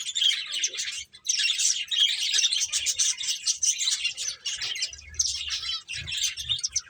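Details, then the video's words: A group of finches playing keeps up a steady, high-pitched chorus of rapid chirps and tweets with barely a break. "Cute Birds Chirping Sounds | Beautiful Finches Playing"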